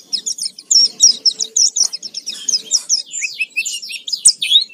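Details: Lure song of an Oriental white-eye for provoking singing, full lively 'gacor full isian' delivery: a continuous stream of high, quick, sweeping chirps and twitters, loud and varied, with only faint background sound.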